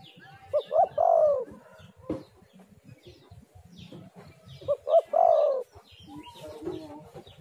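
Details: Spotted dove call used as a lure for other doves: two phrases, each two short rising coos followed by a long, slightly falling coo, separated by about four seconds of quiet.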